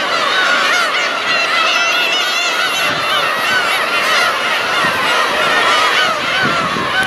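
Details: Black-tailed gulls in a huge flock keep up a continuous chorus of mewing, cat-like cries. Countless wavering, nasal calls overlap throughout, with a steady background hiss.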